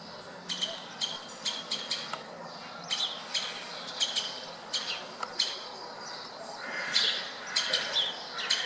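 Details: Woodpeckers in the wild outside a city window in Berceni, Bucharest, Romania: clipped, bright call notes in loose clusters with brief pauses between groups, plus a fainter, softer chatter near the end.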